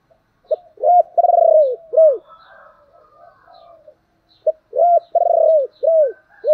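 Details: Spotted dove in the thổ voice style, giving urging (thúc) and calling coos: two loud bursts of low cooing, each a stuttering rolled note followed by drawn-out arched, falling coos, separated by a quiet pause, with faint high chirps behind.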